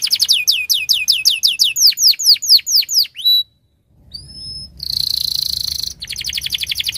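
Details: Canary singing a quick series of descending slurred notes that speed up, a short pause, two thin high whistles, a dense buzzing roll, then a fast rattling trill.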